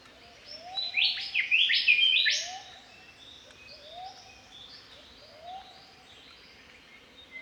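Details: Spring song of an Australian Golden Whistler: a rapid run of loud, clear whistled notes, each sweeping upward, ending sharply, while a softer bird repeats low rising slurred calls underneath.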